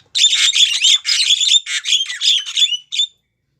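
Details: Female Javan myna calling to a male: a rapid run of harsh, squawky notes mixed with short whistled upslurs, about ten bursts over three seconds, then silence.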